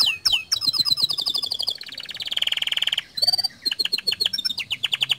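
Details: Gacor canary song played to induce other canaries to sing: sharp descending notes, a fast high trill, a long buzzy rattling roll, a short whistle, then quick repeated chirps and trills.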